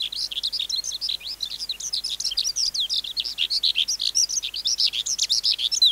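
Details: A wild-caught adult skylark, recorded to tutor young caged birds, delivers a continuous high warble: dense strings of sharp chirps and rising and falling whistled slurs tumbling rapidly over six seconds.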